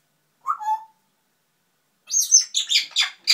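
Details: Grey parrot named Heidrun (Heidi) babbling to itself: a short low whistled phrase, a pause, then a quick run of bright, squeaky high-pitched babble notes.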